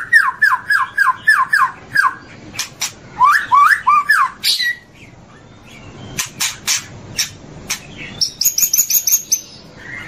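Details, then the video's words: Morning song of a white-rumped shama: quick series of descending whistled slurs, sharp clicks and snaps, then high thin ringing trills near the end. "Masteran Murai Batu Durasi Panjang Untuk Pagi Hari"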